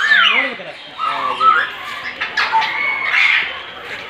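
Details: Grey parrot in the bird house at Bannerghatta Zoo mimicking songbird calls: clear, pure whistles, some sliding, some steady, mixed with harsh, voice-like chatter, with people murmuring in the background.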